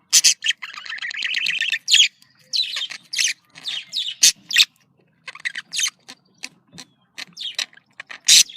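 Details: Budgerigar contact calls, described as happy: a buzzy pulsed warble at the start, then scattered sharp clicks and chirps with silent gaps between them.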